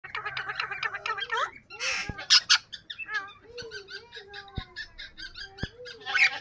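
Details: Pet yellow rose-ringed parakeet mimicking different words: warbling, speech-like harmonic phrases in the first second and a half, then sharp squawks, followed by short rising-falling tonal syllables and a final harsh burst.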